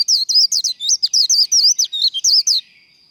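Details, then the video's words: Contest líu song of a Japanese white-eye, recorded for training birds to sing for competition, a rapid unbroken string of high, twisting whistled notes, loud and clean, roughly sixteen in under three seconds, ending abruptly. "Vành khuyên líu đấu | SIÊU HAY Khuyên líu kích bổi | Kích lửa vành khuyên líu đấu"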